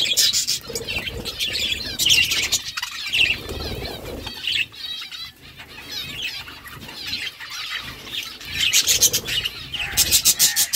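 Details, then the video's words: A group of budgies eating food keeps up a busy stream of chattering, warbled chirps, with loud bursts of rustling and wing-like flutters throughout. "My beautiful budgies eating food budgies chirping sounds"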